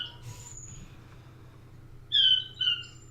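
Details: A quail in the background of a Gouldian finch aviary gives two loud, high whistled notes about half a second apart, after soft thin chirps from finches and a low hum.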